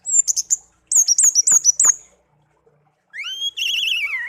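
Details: Tame songbird kept as a pet for a year after being raised from a young bird found in a garden. Quick bright chirps repeat in a run, a pause, then a long wavering warbled whistle.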